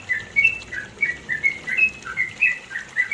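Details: Yellow-vented bulbul giving its long, rapid 'ropel panjang' song, recorded in the mountains of East Java, Indonesia: quick bubbly whistled notes, rising and falling, tumbling out in an unbroken chattering run over faint steady hiss.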